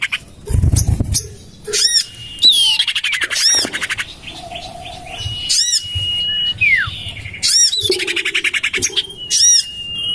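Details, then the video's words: Lure sound for common iora, tried out in a garden next to a home: harsh arched squawks repeat among long level whistles, a sharply descending slur and bursts of rapid chattering, with a low rumble underneath. "Suara pikat burung sirtu cipoh terampuh sepanjang masa"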